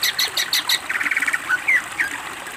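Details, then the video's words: Greater green leafbird master training recording, a lively singer showing its isian fill-in phrases: rapid buzzy chattering notes, then a run of dense trilled notes and short rising whistles over light background hiss. "masteran cucak ijo gacor BONGKAR ISIAN masteran istimewa"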